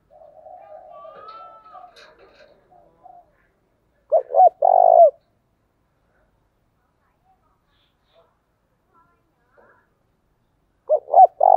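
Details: Spotted dove cooing early in the morning to lure birds: quiet distant coos and a thin whistle at first, then two bursts of short coos each ending in a long coo.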